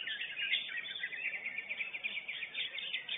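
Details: First-place lesser green leafbird at a singing competition, pouring out a bright, fast, unbroken chatter of high, clipped notes, slightly softer and more distant-sounding.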